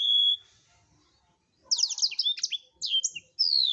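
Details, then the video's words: Blackthroat in active gacor song for songbird tutoring: a steady high whistle first, a pause, then a tumbling run of quick high chirps and trills ending in a long, slightly falling whistled note. "Blackthroat #masteran Burung blekstrut Gacor"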